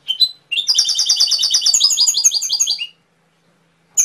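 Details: Canary giving a brief high note, then a sustained rapid trill of metallic repeated syllables lasting over two seconds, with a few new notes starting at the very end.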